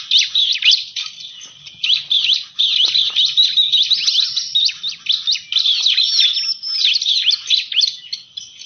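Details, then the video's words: Bar-winged prinia calls for luring birds: sustained high-pitched chattering, fast scratchy chips and twitters run together with small pauses throughout. "Suara pikat ciblek"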